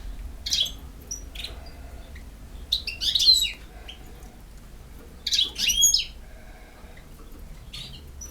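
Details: Song of a campero European goldfinch: spaced groups of high, quick, slurred twittering notes with thin rising and falling whistles, separated by quiet gaps, against low steady hum.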